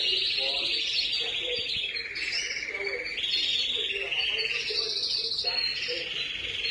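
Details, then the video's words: Baby canaries giving a dense, continuous chorus of high, buzzy chirps that overlap and waver up and down without pause, with softer lower notes underneath. "Baby Canaries"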